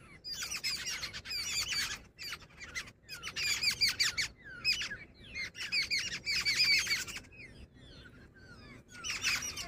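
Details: Female jungle babbler giving four bursts of loud grating chatter, each a couple of seconds long, divided by quiet gaps with a few soft descending notes.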